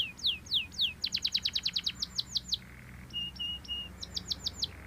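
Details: Belgian canary singing: a few separate downslurred whistles, then a rapid bright trill of repeated notes, a short run of flat piping tones and another quick trill, over steady low background hum.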